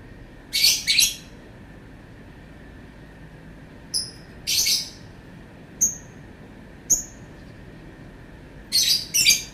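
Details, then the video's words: Lovebird giving irregular harsh double screeches and thin, high chirps with pauses between them. "Burung Lovebird bunyi suara panjang"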